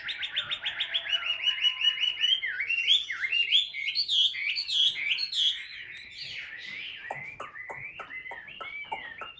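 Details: Hand-held caged Chinese hwamei from Vietnam, a tail-spreading fighter singing ngũ trường song: fast strings of clear whistles, sharp V-shaped dips and ringing high notes, then quieter staccato chips toward the end.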